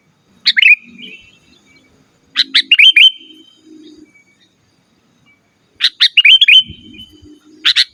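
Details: Song of a sooty-headed bulbul meant to lure wild birds and tutor cage birds: three bursts of fast, liquid, downward-sliding notes ending in a thin trailing whistle, separated by silences of about two seconds, with a low hum beneath.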